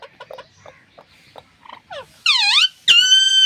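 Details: Talking Alexandrine parakeet filmed on an iPhone. Soft clicks and short chirps build to two loud, clear, ringing tones: a dipping V-shaped syllable, then a long steady one, like a spoken two-part word.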